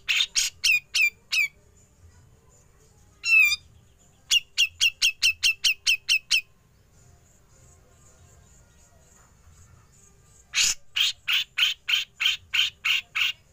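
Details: Besetan of a Grey-cheeked bulbul leading on to ngepik, used to train songbirds. Short runs of harsh, piercing notes, one drawn-out wavering note, then a fast series of about nine raspy notes and a final denser, noisier burst.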